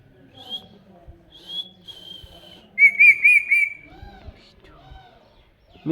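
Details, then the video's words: Pet ringneck parrot whistling: drawn-out high whistles, then a loud burst of four quick wavering whistled notes, followed by softer lower murmured sounds and a final abrupt call. "Very cute talking parrot | Ringneck parrot"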